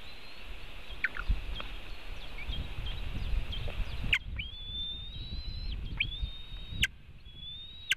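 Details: White-tailed eagle, nest webcam in Latvia, 4 July 2018, 5:08 pm, during theft of part of a fish from another eagle: faint slurs, then three loud, flat, high whistles each ending abruptly with a downward flick.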